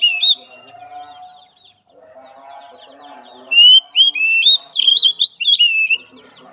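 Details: Therapy training song of an Oriental magpie-robin for a weak-spirited bird: soft murmuring background first, then a lively burst of varied whistles, slurred rising and falling notes and quick chips over the second half.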